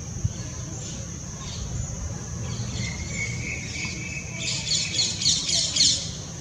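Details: Purple-rumped sunbird (Leptocoma zeylonica) gives thin, high chirps that quicken into a rapid run of sharp twittering notes near the end, over a low rumble of background noise.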